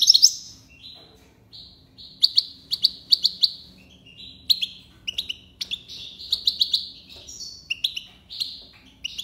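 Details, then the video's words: Tiwawati song from a European goldfinch (maknine): sharp, high notes repeated in loose groups, mixed with brief buzzy trills, over a faint low hum. "مقنين(حسون) تيواواطي ليباساد"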